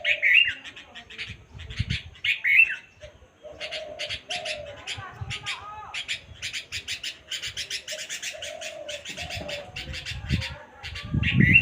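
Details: Bulbul calling: bursts of quick, bright chirps, some in rapid chattering runs, separated by short lower cooing notes, with soft low rumbles in the background.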